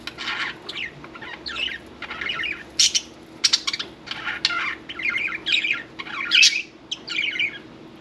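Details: Pet budgerigar during bath time, giving a busy stream of scratchy chirps, squawky bursts and bright warbled notes, packed closely with only brief gaps between phrases, sounds of splashing or flapping possible, no other voices evident.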